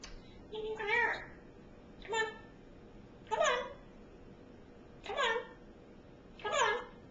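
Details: African grey parrot kept as a pet, babbling in five separate bursts about every one to one and a half seconds, each a rough, warbling squawk with a slurred, voice-like quality.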